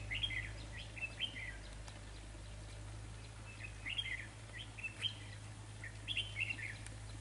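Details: Red-whiskered bulbul, a decoy bird used in trapping, gives short bright chirping phrases of quick warbled notes, sung in three bursts about two seconds apart over a steady low hum.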